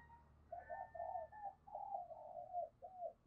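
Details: Quiet, distant cooing from a spotted dove decoy in the thổ thúc gù style, calling to lure: a run of soft, wavering coos over a steady low hum and background noise.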